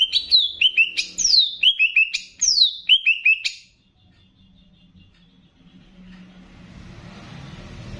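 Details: Banyuwangi greater green leafbird in a training song that mixes in bebeci-style phrasing to excite other birds: grouped, descending whistled notes in falling runs, then quiet with background hiss.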